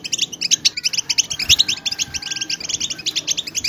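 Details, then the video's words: Many European goldfinches in a busy twittering chorus, used to excite silent goldfinches into singing; quick sparkling chirps tumble over one another steadily, with a faint low hum beneath. "اقوى بتبتة ,لتهييج الحسون على التغريد"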